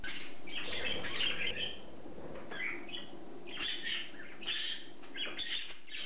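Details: A budgerigar in a homemade shower (small water pump, hose with holes, sponges) gives bursts of bright, scratchy chirps and warbles over a steady hiss of running water.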